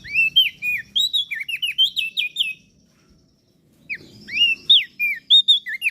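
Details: Energetic masteran song of crested darkeye and Lombok prinia for tutoring caged birds: clear twisting whistles and bright chirps in quick succession, a silent second, then the whistled phrases resume.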